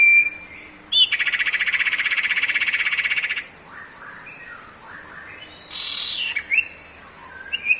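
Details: Common iora in 'tembakan sirtu ngebrem' style: a long, buzzy, rapidly pulsed trill of about two seconds, followed by scattered sliding whistles and a second harsh, noisy burst.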